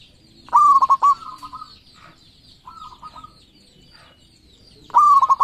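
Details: Local zebra doves, thirteen birds, singing freely for luring: a loud phrase of a rising coo, rapid clipped pulses and a trailing note, then softer answering phrases from other doves and a second loud phrase.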